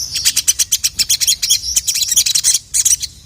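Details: Sogon or crimson sunbird in lively full song aimed at a male: a dense, almost nonstop stream of high, sharp chirps and twittering notes, delivered in quick uneven clusters.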